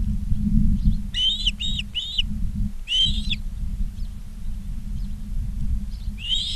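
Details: Short series of bright whistled chirps from Ospreys at a Charlo, Montana nest, live camera, 19 August 2023 at 16:05, three notes, a pause, a fuller note, then another call at the end; low rumble throughout.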